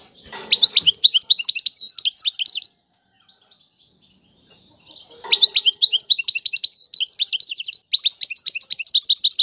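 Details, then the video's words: Two long phrases of Tiwawati goldfinch song, fast sparkling twitters and short trills, separated by a quiet gap of about two and a half seconds, with a soft low knock near each start. "اعظم تغريد الحسون طيواواطي"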